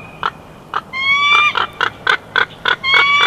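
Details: Chortle from a bald eagle at the Big Bear nest, June 2021: rhythmic piping notes about four a second layered under sustained shrill, slightly rising whistled squeals.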